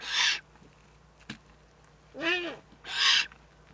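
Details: Eifel, 3 May 2014: a Eurasian eagle-owl gives a loud hiss, a single click, then a hiss with an arched squeaky note and a final strong hiss.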